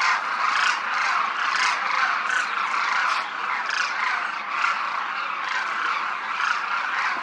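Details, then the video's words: Large group of demoiselle cranes flying in formation over a Rajasthan village, India: a dense, continuous chorus of overlapping croaking, rolling calls with many birds calling at once and no pauses. "Demoiselle Cranes croon, fly and feed in formation, as a large group, and cloud up the Rajasthan sky"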